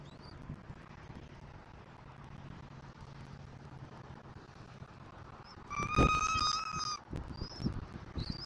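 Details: Bald eagle at a nest in Southwest Florida, early morning of 1 May 2024, around 06:53. After a stretch of rumbling wind, a single loud, ringing, harmonic call lasts about a second, followed by a few faint, thin, high whistles and some rustling.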